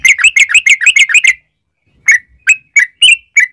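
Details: Yellow-vented bulbul singing the long rapid 'ropel' style, played as a lure to draw song from other bulbuls: a quick burst of about eight bubbly chirps, then a pause and five spaced, slurred single notes.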